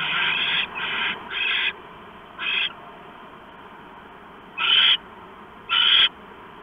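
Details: Owl at its nest on a live camera, early evening of 3 September 2015, arriving to finish a rat stashed in the nest; six harsh, raspy hissing bursts, three close together, then spaced out, over faint background hiss.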